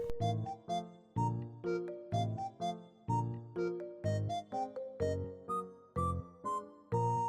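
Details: Only piano music plays, a bright repeated melody of plucked keyboard notes, with no animal sounds heard.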